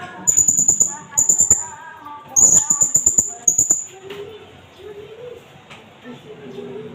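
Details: Blue-crowned hanging parrot, an Indonesian bird, recorded as a lure and tutor recording with natural pauses. It gives very high, thin notes in rapid pulsed bursts of about half a second, repeated, with a mosque loudspeaker faint in the background.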